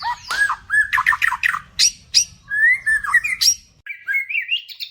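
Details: White-rumped shama (murai batu) in full lure song, delivered in ngebat style with tight bursts and varied filler phrases: rich run of loud whistles, rising slurs and buzzy chatter, phrases packed one after another with brief gaps.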